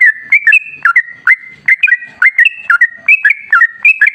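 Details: Sooty-headed bulbul singing nonstop as a lure to trigger singing in other bulbuls: a bubbly string of whistled notes, each with a quick drop and a level tail, repeated about three times a second.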